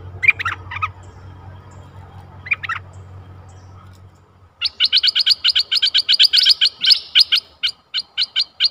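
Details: Bulbul decoy working a very old wild bird, 11 August 2021: a few scattered warbled whistles over a low hum, then a fast unbroken run of sharp, high ticking notes repeated about four per second.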